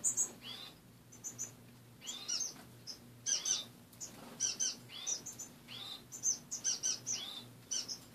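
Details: Pet finches kept in a cage indoors after waking, repeated high chirps and small rising notes from more than one bird, spaced irregularly, over a faint low hum.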